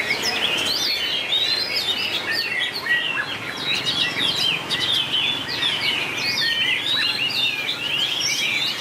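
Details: White-rumped shama in a singing contest: a rich, unbroken tumble of sweeping whistles, rising and falling slurs and short chirps, varied phrase after phrase.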